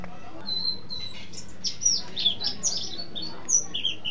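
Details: Caged mountain white-eye singing in a continuous roll: thin, high, sweet chirps and short slurred whistles tumbling rapidly, mixed with faint low background hum.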